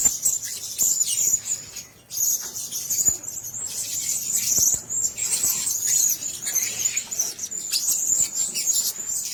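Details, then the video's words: Caged Blue-crowned hanging parrots keep up a steady, shrill, very high twitter of squeaky notes, with a short lull near the two-second mark and scattered clicking sounds. "Sesangkar Burung Serindit 2"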